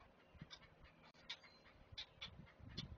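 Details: Great blue heron chicks at a Chesapeake nest, being fed by a parent, give harsh, breathy, clacking bursts in an uneven rhythm, about one or two per second, over a low background rumble.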